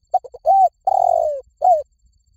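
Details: Spotted dove giving one complete coo phrase: three quick soft notes, an arched coo, a long hoarse coo falling in pitch, then a short closing note, clean and close.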